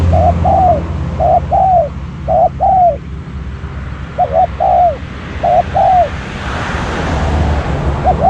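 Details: Spotted dove used as a decoy to lure wild doves. It gives five repeated coo phrases, each a short note followed by a longer, drooping one, with a low rumble underneath.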